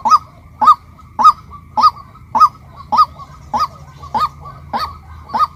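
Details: Female white-breasted waterhen uttering ten rhythmic, hooked honks about 0.6 seconds apart, loud and clear above a faint low background rumble.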